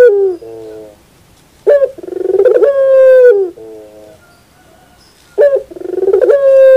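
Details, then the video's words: Puter pelung dove in the morning, giving a short coo, a pause, then two full phrases of pulsing build-up into a long sustained note and a gentle lower tail. "the beauty of the sound of puter pelung in the morning"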